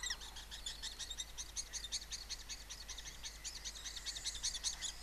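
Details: Lesser kestrels calling during mating at a nest-box colony in Cabañeros National Park, Castilla-La Mancha, Spain: a continuous fast, scratchy chatter of rapid repeated notes, swelling and fading, about two to three per second.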